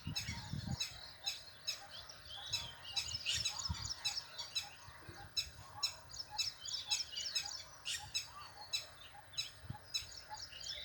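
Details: Female parrot calling her chick: a steady series of short, harsh chattering calls repeated several times a second, with louder squawks and some low rumbling underneath.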